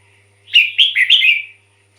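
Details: Red-whiskered bulbul giving a single cheerful phrase of three or four rapid, rich whistled notes, rising and falling, the kind of song used to decoy wild birds or excite caged ones.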